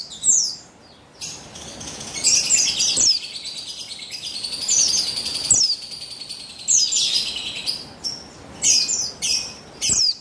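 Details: Female buxtoni Javan white-eye recorded 3/8/21 to coax males into singing; piercing high twittering with downslurred notes, a longer continuous chatter in the middle and rapid separate chirps toward the end.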